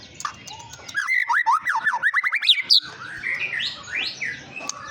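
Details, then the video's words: White-rumped shama song used as a lure to provoke other birds: a rapid run of rising whistled notes, about a dozen in two seconds, then softer varied warbling over steady background noise. "Pancingan burung murai batu bikin emosi"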